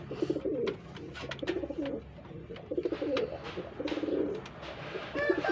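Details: Pigeons paired for breeding: a run of low, warbled coo bursts, each about half a second long, repeated with brief gaps, among scattered clicks and knocks.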